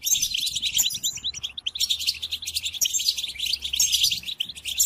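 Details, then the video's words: European goldfinch song used to tutor captive goldfinches during the moult: a dense, fast twittering of high tinkling notes and buzzy trills, continuous with brief dips, with faint low hum beneath. "قدم هذه الآصوات لطائرك الحسون"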